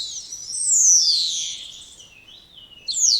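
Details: Spotless starling singing a long, loud whistle that sweeps slowly downward, followed by a pause and the start of another high whistle.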